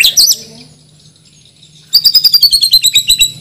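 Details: Male White-rumped Shama of Bornean (Banjar) origin, a caged competition bird, opens with a short, bright high flourish, falls silent, then pours out a fast run of about a dozen sharp notes slurring gently downward.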